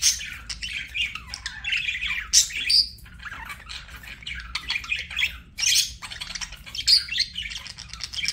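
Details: Chirping budgerigar chatter, busy and raspy, with sharp squawky notes and brief whistled squeaks breaking through the rapid warbling, pausing briefly midway before resuming.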